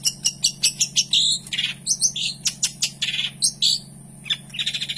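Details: Long-tailed shrike (cendet), a kept songbird singing a rich varied song: rapid high sharp chirps and short buzzy notes in quick bursts, some dropping lower, over a steady low electrical hum.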